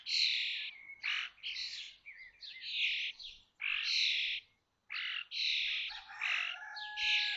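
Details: Nest-box common starling chicks at Théding, 19 May 2024, fledging 21 days after hatching: a dense run of scratchy, hissing begging-type calls, overlapping and uneven, broken by one short silence.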